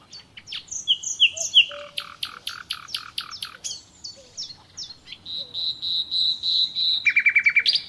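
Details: Nightingale song with varied phrases: whistled slurs, a run of sharp separated notes, a sustained buzzy tone, and a closing burst of rapid trilled notes, sung continuously.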